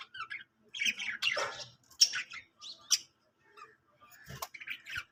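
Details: Singing budgie giving scattered squawks and short scratchy chirps. They come in uneven bursts separated by quiet pauses, with one harsh click-like note near the end.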